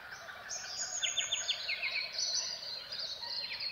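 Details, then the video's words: Silvereyes in a southwestern dawn chorus: high, thin twittering and quick descending chirps, with other birds singing around them under steady soft background hiss. "Silvereyes and Dawn Birdsong of the Southwest"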